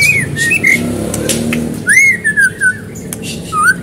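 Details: White-rumped shama singing in lively gacor style for a lure recording meant to prompt other birds to sing: clear slurred whistles rising and falling, a longer downward-sweeping whistled phrase, then a brief rising note, with low background hum.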